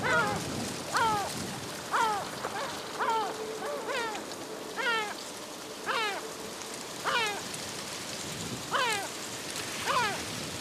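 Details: Two yellow-legged gulls fighting over a fish: loud, harsh, downward-sliding cries repeated about once a second, each rich in overtones, over a steady hiss of background noise.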